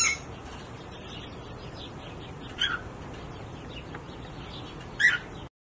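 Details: A Wilson's warbler, recorded while bathing on 18 October 2019, gives two brief, sharp chip notes about two and a half seconds apart over a steady background hiss.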